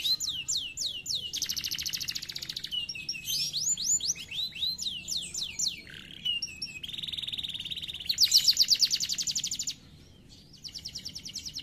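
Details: Canary song of alternating phrases: swooping whistles, buzzy rolled trills, a lower steady warble and a loud fast trill, then a brief pause before more trilling.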